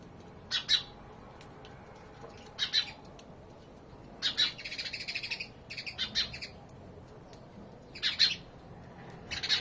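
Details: Sparrow chirps come in short clusters every two seconds or so, each a bright doubled note, with a longer chattering burst in the middle and quiet pauses between.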